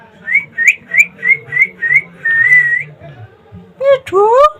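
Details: A rescued, pet rose-ringed (ringneck) parakeet in Bangladesh gives seven quick, high whistled notes and a longer drawn whistle, then a few harsh, voice-like syllables imitating speech.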